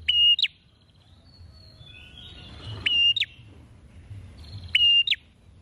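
A prinia gives three loud, piercing whistled phrases, each a short steady note ending in a sharp upward flick, repeated about every two seconds over faint background hiss.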